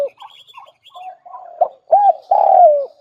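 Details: Spotted dove lure call. Soft, broken low notes build into a louder rounded coo, then a long, drawn-out falling crooo at the end. Faint thin twitters from other birds are heard throughout.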